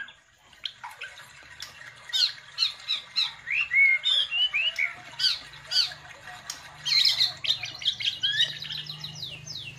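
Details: White-rumped shama, a captive contest bird, singing a rich varied song of rapid whistled and chattering phrases, many quick notes with sharp upslurs and downslurs, dense bursts from two seconds onward with a loud flourish near seven seconds; faint low hum beneath.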